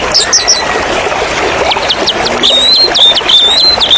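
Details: White-rumped shama (murai batu) song blended with rushing water as therapy for caged birds against stress: thin high whistles and rapid repeated ticking trills over a constant loud hiss of flowing water.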